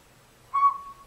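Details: A single short, clear whistled toot from a Northern Pygmy-Owl, a tiny owl about the size of a robin, calling from woods near an old nest hole in a hollow tree, with faint low background noise.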